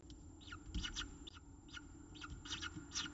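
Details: Begging from Peregrine falcons during feeding at a nest in Orange, Australia: a rapid run of short, scratchy, downward-slurred calls, roughly eight in three seconds, over a low background rumble.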